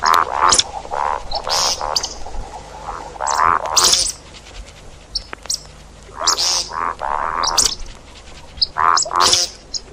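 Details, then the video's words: See-see partridge call played for hunting: bouts of repeated rough, nasal notes and high shrill squeals, broken by quieter stretches before the calling resumes. "صوت طائر الشكب (دجاج الارض) للصيد"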